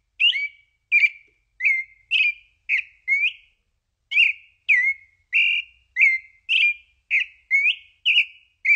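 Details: Pale-breasted thrush (labelled sabiá-poca, a song called sad) singing clear, slightly slurred whistled notes, about two each second, each note bending slightly and varying a little, with no other sounds.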